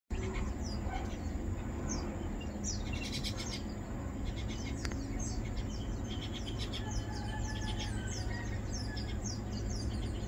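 Crested myna giving thin, quick downslurred chirps over and over, some in short bursts, over a steady low rumble of traffic or wind.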